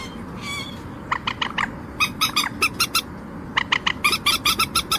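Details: Common moorhen giving rapid series of short, nasal, squeaky notes in bursts, some clusters of four to six clipped yelps, rising in tempo toward the end, over a low murmuring background hum.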